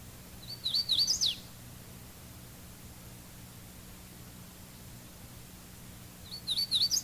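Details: Hooded warbler song: a quick, clear, whistled a-weet-a-weet-a-weetio phrase ending with a sharp upward jump in pitch, heard twice about five seconds apart over a low steady hum.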